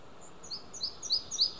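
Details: Male Red-breasted flycatcher singing at Hunneberg Nature Reserve, Västergötland, Sweden, June 5 2015, recorded on an Olympus OM-D E-M5 II: a short burst of four thin, high, paired notes repeated rapidly, speeding up slightly.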